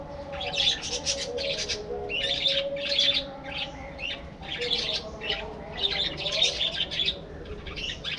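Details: Colony of breeding budgerigars in an aviary. Dense, continuous chattering of rapid, scratchy chirps comes in pulses about every half second, above faint low droning tones.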